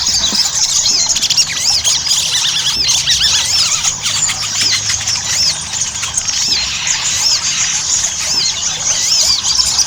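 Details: Ruby-cheeked sunbird singing, a recording used to prompt caged birds into song; a continuous shrill chatter of rapid looping, rising and falling notes layered thickly throughout.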